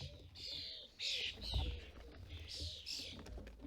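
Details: Common starling fledglings in the UK being fed by their parents at a bird feeder give harsh, rasping, hissy calls in short bursts about every second. Low, soft cooing sounds and faint rustling run underneath.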